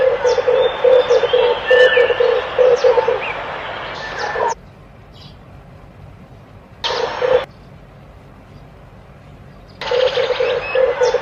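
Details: Red collared dove giving rapid low coos in a rolling string, broken by two silent gaps and resuming in short bursts, with scattered high bird chirps.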